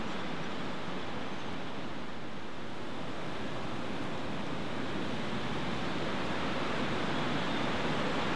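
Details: A constant broad hiss like rushing water or strong wind fills the recording evenly, and no calls or drumming can be picked out.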